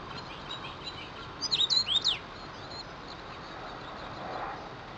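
A common rosefinch gives one short phrase of clear, slurred whistles rising and falling, lasting under a second, with faint calls of other birds behind.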